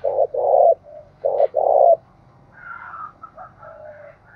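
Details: Spotted dove cooing across the Đồng Nai hill forest, where both 'gáy thúc' and 'gáy gọi' styles are heard. Five low, mellow coos fill the first two seconds, then softer, higher warbling notes of another bird follow.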